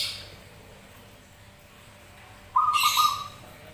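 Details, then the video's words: Zebra doves answering each other: after a quiet stretch comes a single short trilled coo, overlapped by a hissy, broadband high-pitched burst. "Perkutut Manggung Bersautan"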